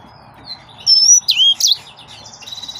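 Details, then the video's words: A yellow-fronted canary gives a brief burst of song: a bright whistled note followed by quick, high, slurred phrases, with faint chatter from other birds. "Green Singer Bird Finches"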